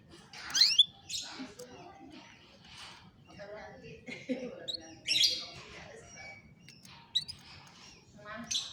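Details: Singing canary, recorded on a cellphone for training a lazy canary to sing: bursts of bright chirps and quick sweeping notes separated by short pauses, with scattered softer twitters between them.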